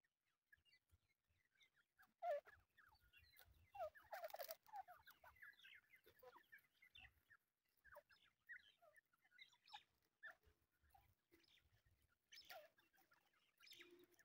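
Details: Grey francolin (grey partridge) chicks giving soft, high peeps and chirps in scattered, uneven bursts, with a few louder clucking notes.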